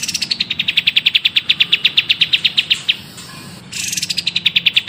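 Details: Songbird master song for teaching other birds: a long run of fast, evenly repeated sharp notes, about six per second, that fall slightly in pitch, breaking off briefly before the series resumes over a low background hum.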